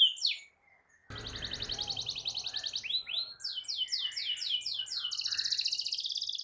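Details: Canary rolling song used to provoke other canaries, starting with a brief whistle and a pause, then a dense buzzy trill followed by a run of repeated downward-sweeping notes about four per second, over low background noise.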